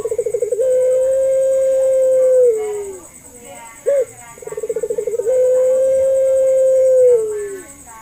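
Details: Puter pelung dove lure call for encouraging hesitant doves to call. Two phrases each open with a rapid pulsing roll, stretch into a long even low coo and slide down at the finish, with a short clipped note between them.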